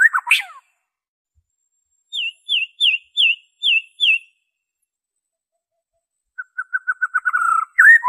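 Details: Song of a white-rumped shama without mimicry, used as a singing prompt and trapping lure: a sharp opening note, six spaced high downslurred whistles, then a quickening trill of short notes ending in a flourish.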